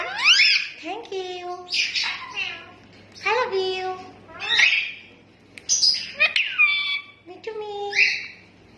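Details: Talking rose-ringed parakeet mimicking human speech: about eight harsh, nasal, speech-like phrases with sweeping, harmonic-rich pitch, delivered in bursts separated by short pauses, over a faint low background hum.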